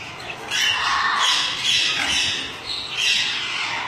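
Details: Kept breeding pair of lutino Alexandrine parakeets calling almost without pause: rough, screechy squawks in a continuous series of overlapping bursts, loud and harsh throughout.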